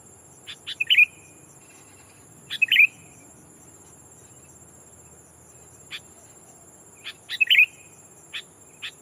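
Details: Sooty-headed bulbul kept as a lure, calling a rival to attract wild bulbuls: three quick gurgled chirps spaced a few seconds apart, each led by sharp clicks, scattered single ticks between, thin steady whine.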